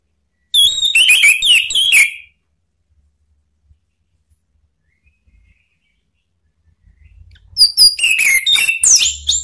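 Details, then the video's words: Orange-headed thrush male giving ngeplong song as a lure for other birds: a busy run of tumbling high whistles, a long silent gap, then a low rumbling background before another bright, jumbled whistled burst. "ANIS MERAH JANTAN SPONTAN ikut NYAUT NGEPLONG ¦ PANCINGAN AM"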